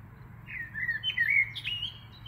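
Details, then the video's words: Birdsong in the UMCS Botanical Garden in Lublin, Poland: a thin, warbling, whistled phrase of rising and falling notes, with a steady low background hum throughout. "śpiew ptaków"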